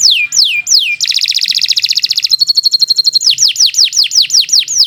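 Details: Canary kept as a singing model for young or silent canaries: a few slow descending whistles, a dense high buzzy trill, a steady held tone, then repeated falling whistled notes.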